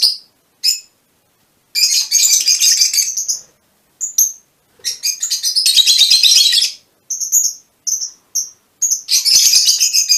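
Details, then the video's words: Short bursts of shrill, scratchy twittering alternate with single sharp chips from Fischer's lovebirds of a colour mutation. "mutación del agapornis - mutation fisher lovebirds"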